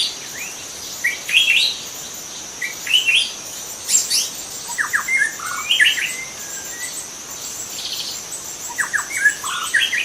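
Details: Young wild white-rumped shama in forest singing scattered whistled phrases, some rising and some down-slurred, with short buzzy notes between pauses, over a steady high insect drone.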